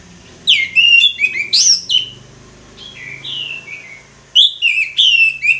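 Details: Orange-headed thrush in ngeplong style: bright, rapidly varied whistled phrases with sharp upslurs and falling slurs, a softer quieter section midway, then another loud run, over a steady low hum.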